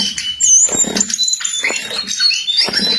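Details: Jongkangan in lively song: sliding high whistles and quick chirps amid scattered low knocking thumps.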